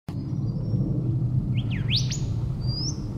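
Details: Golden Whistler in Daisy Forest, Queensland, Australia, gives a quick run of rich, rising whistles with a sharp whip-like crack, then a final upslurred note, over a steady low rumble.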